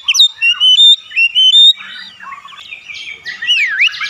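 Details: Oriental magpie-robin singing loud, clear whistled phrases with sliding notes, followed by harsher buzzy and scratchy notes and a final sweeping whistle.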